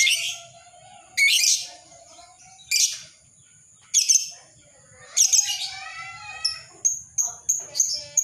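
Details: Ngekek chatter of a lovebird, played to train and lure other lovebirds: several grating high bursts spaced about one and a half seconds apart, ending in a quick run of short sharp chips.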